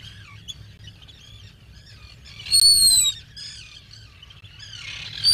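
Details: Black guillemot at the nest burrow on a 2022 burrow camera: soft high twitters, then a loud, thin whistle falling slightly in pitch for half a second, followed by more faint chirps and the start of another whistle.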